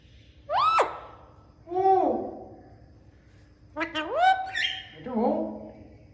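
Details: Indian ringneck parakeet, a talking parrot, giving natural calls: four loud harmonic notes, each sharply rising then held level, in two pairs about three seconds apart, with quiet pauses between and faint low background hum.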